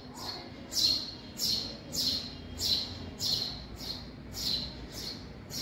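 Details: Young house sparrows inside a garage give a steady run of short, harsh, high chirps, repeated about every 0.6 seconds, each one a bright downward-sliding note over a low background hum.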